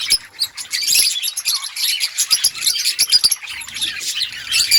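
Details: Budgerigars in an outdoor colony, a constant high chatter of thin chirps and raspy warbles from many birds, with sharp clicks scattered through the flock noise.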